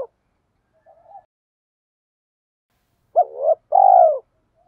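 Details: Decoy spotted dove calling to stir other doves: a faint soft murmur, then one loud phrase of a short hoarse rising coo followed by a long, even, falling coo.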